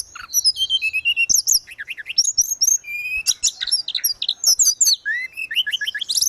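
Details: Continuous, vigorous song from a grey-cheeked bulbul, used to tutor caged birds: descending whistled phrases, zigzag chirps and quick high notes pour out with hardly a break.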